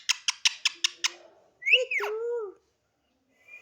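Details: Pet talking parrot that talks a lot: six quick repeated clipped syllables, then a longer rising-and-falling whistled, voice-like phrase with a sliding tone, followed by silence and a faint note at the end.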